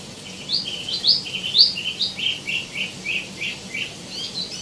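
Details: Steady tieumi song of short, bright, chirped notes repeated about twice per second, some rising sharply, forming an even, bouncing rhythm.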